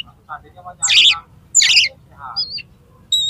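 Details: Oriental magpie-robin showing its repertoire of imitations while challenging a rival to fight, tail open: low chattering notes, two loud harsh rasping bursts, a wavering whistle and a clear high tone at the end.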